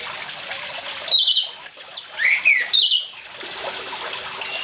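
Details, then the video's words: Orange-headed thrush song paired with water sounds as a lure for silent birds: a short run of loud phrases, a trilled note, a descending slur and sharp whistles, then back to steady water hiss. "ANIS MERAH GACOR DENGAN SUARA AIR, PANCINGAN ANIS MERAH MACET CEPAT BUNYI"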